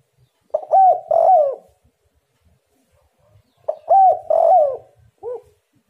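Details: Spotted dove giving lure calls to prompt answers from rival doves, with two mellow, low cooing phrases about three seconds apart, each of rising and falling hooted notes, in quiet surroundings.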